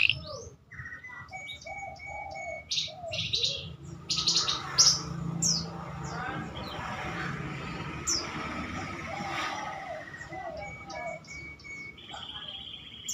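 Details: A canary, a tutor bird with prinia (ciblek) and other imitations woven in, sings a busy, unbroken run of sharp chirps, high whistles and fast buzzy trills, with phrases changing every second or so over a faint low hum.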